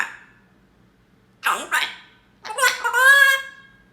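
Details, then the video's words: Pet parrot talking, saying "come on" with emotion; two short high voiced syllables, a pause, then a longer drawn-out, strongly harmonic word in a quiet indoor room. "Bird says Come On with Emotion"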